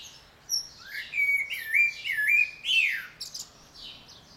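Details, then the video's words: Common blackbird visiting a garden in the morning, one of a pair returning for a second year, sings a fluting phrase of warbled whistles sliding around mid pitch, ending in higher squeaky twitters, against a quiet background. "Κοτσυφός - πρωινό ξύπνημα και φέτος !!!"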